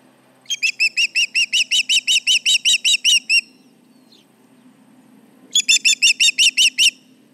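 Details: Osprey at the Charlo nest sounding alarm over intruders near the nest, July 29, 2019, late morning: two loud bursts of rapid, evenly spaced, high whistled chirps, about two and a half per second, with a quiet pause between and a low steady hum beneath.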